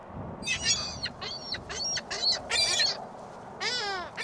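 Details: Gulls at a shopping mall on a very windy Christmas Day 2014, giving a series of harsh, nasal squealing calls in short bursts, with wind noise beneath.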